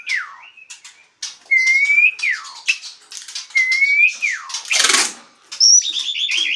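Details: Asian pied starling in full, vigorous ngaruda-style song: drawn-out rising whistles alternate with falling slurs, dry rattles and one loud rasping burst, then a high twittering phrase at the end.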